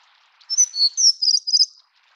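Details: Plumbeous redstart (Rhyacornis fuliginosa affinis) gives a quick run of five or six thin, very high notes, sharp and slightly buzzy, over about a second, against a quiet background.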